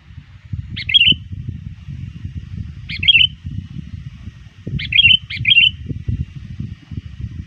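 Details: Sooty-headed bulbul, a trained bird used as a lure, calling to rivals near dusk: short bubbly chirped phrases, one at about one second, one near three seconds, then a quick pair near five seconds, over a steady low rumble.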